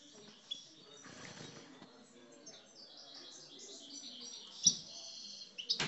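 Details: Caged Algerian parva European goldfinch, one of several aggressive 'coupleurs' singers from Guelma, Souk Ahras, Bouira and Bordj Bou Arreridj. Scattered high, thin twittered notes over a quiet low hum, with a sharp louder burst near the end.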